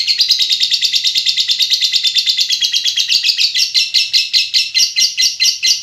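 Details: Lovebird giving a long "ngekek" call, a loud harsh chattering trill of rapid pulses held for several seconds, slowing slightly toward the end.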